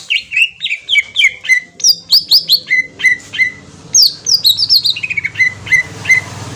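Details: Kalimantan green leafbird lure song for prompting a reply. A continuous, lively sequence of clear, downslurred whistles alternates between high ringing notes and lower mellow ones, delivered in quick, slightly irregular rhythm with a soft low rumble behind.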